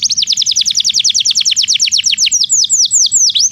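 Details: Belgian canary song intended to teach non-singing canaries: a steady series of quick downslurred notes, about eight per second, shifting to slower, longer curved whistles.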